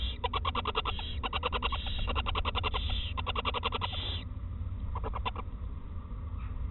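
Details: Owl mother feeding her first chick of 2018 at a nest in Eersel with soft parts of a mouse; fast trains of clicking, ticking notes in dense bursts, a short hissy note, then sparser clicks, over low background rumble.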